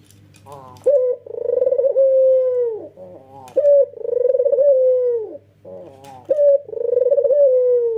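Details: Energetic nodding coos from a male white Barbary dove with red eyes. Three long, rolling, steady coos arrive about every two and a half seconds, each preceded by short choppy notes, over a low hum.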